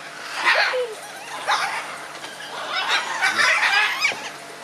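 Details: Scarlet macaws exchanging views: a run of grating, hoarse squawks and shorter rough calls overlapping at varied loudness over nearly five seconds, with a brief lower whine early on.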